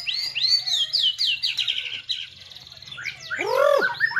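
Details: Fast series of arched, whistled notes from a white-rumped shama, about four per second, followed by a swelling cascade of downslurred whistles and a loud lower warbled note, over a low background hum.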